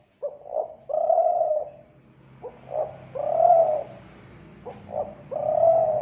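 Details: Kelantan spotted dove cooing, a sound for luring doves: three phrases of short notes and a long low coo, over a steady low background rumble and hiss.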